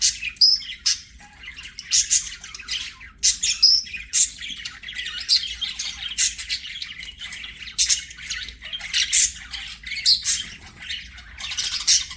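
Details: Budgies singing and playing, kept as pets: continuous warbling chatter of rapid high chirps, clicks and squawky bursts, rising and falling in loudness every second or so.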